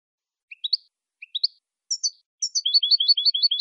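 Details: Saffron finch song used for teaching captive birds. Pairs of rising chirps repeat, then a pair of high double notes, then a fast run of bright, bouncy two-note phrases, all high-pitched and clean with no background noise.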